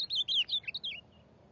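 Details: Ultramarine grosbeak of the corujão song type in Rio Grande do Norte, trading song with a free bird. One brisk, loud phrase of warbled whistles that swoop downward, then stop abruptly.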